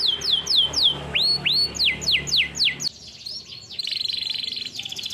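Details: Live canary training song: quick falling whistled notes, two upsweeps, more downslurs, a brief lull, then a rapid high buzzy trill.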